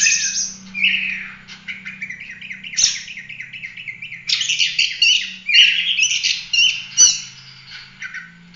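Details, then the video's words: Oriental magpie-robin in full roll tembak 'gacor' song, kept as masteran for teaching other birds: rapid chattering trills and sharp whistled notes tumbling in quick bursts, with a couple of clicks. "Kacer gacor ful roll tembak cocok buat masteran"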